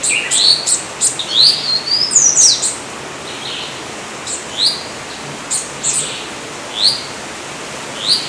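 Yellow-olive flycatcher giving thin, high, upslurred sweeping notes, singly or in quick pairs, roughly once a second, over a steady soft hiss.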